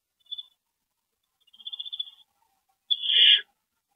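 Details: Owl at a rodent delivery, March 28, 2012, evening: a faint short hiss, then a longer wavering, fluttery hiss, ending in one loud, harsh screech.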